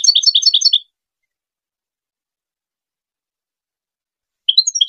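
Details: Goldfinch tutor song for hybrid chicks: a fast, tinkling run of high repeated twittering notes, then a short snatch of twittering that begins after a few seconds of silence.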